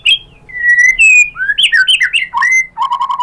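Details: White-rumped shama song used to make other shamas answer: clear slurred whistles and quick varied notes, ending in a short rapid trill.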